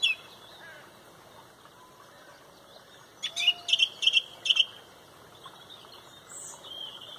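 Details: Song thrush at sunrise, Pontrobert, leading a loud dawn chorus: after quiet twittering, one crisp phrase is repeated about four times in rapid succession, with faint high calls from other birds.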